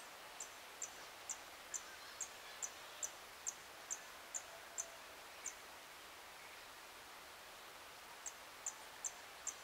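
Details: Blue-and-yellow tanager at 7:13 AM on 26 April 2022, giving a run of high, thin tick notes roughly every half second. The notes pause for a few seconds, then resume briefly over quiet natural hiss.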